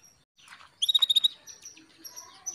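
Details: Female canary calling the male to stimulate him: a half-second run of about seven high, evenly repeated clicking notes, followed by faint scattered chirps and soft background twitter.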